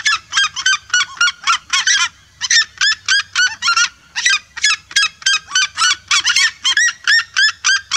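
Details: A flock of red-legged seriemas yelping together, a fast, relentless series of high, sharp notes about three per second, interrupted by one short pause.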